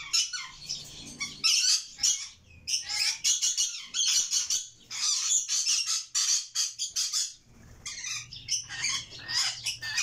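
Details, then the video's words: Several red lory chicks begging with near-continuous rasping, hissing squawks in rapid overlapping bursts, pausing only briefly around the middle of the recording. "Red malcund Lory chicks"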